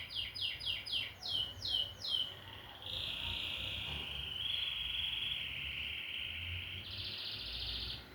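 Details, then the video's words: Canary song beginning with about six loud falling chirps in a row, then switching to long, steady, rolling trills at two pitch levels, closing on a higher pulsed trill; quiet low hum behind. "O IMPORTANTE É QUE O CANÁRIO CANTE"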